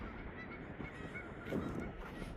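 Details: Canada geese honking in a steady, overlapping chorus of nasal, trumpeting notes at dusk, about 8:40 pm on 24 April in spring at the Lockport locks, possibly flying overhead seeking a landing place, over wind and handling noise.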